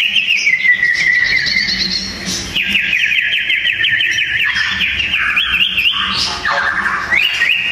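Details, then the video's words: Sooty-headed bulbuls in a song duel pour out dense, loud warbling: rapid buzzy trills and chattering phrases, shifting between higher and lower pitches, with quick rising slurs at the end. "Burung sirpu‼️duel maut paling seru"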